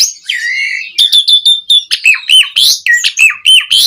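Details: Energetic Asian pied starling song for stirring caged birds: a drawn-out rasping note followed by rapid alternating sharp whistles and chatters, roughly three per second.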